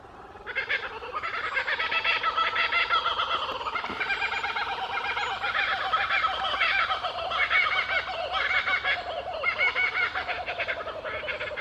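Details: Laughing Kookaburras at a wildlife sanctuary with native grassland habitat in Australia, in full chorus: a loud rolling cackle of hooting, chuckling notes that rises and falls.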